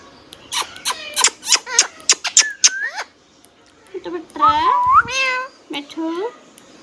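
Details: Tame pet rose-ringed parakeet producing a rapid burst of clicks and squeaky syllables, then slower harmonic, word-like phrases resembling "Mittu", indoors.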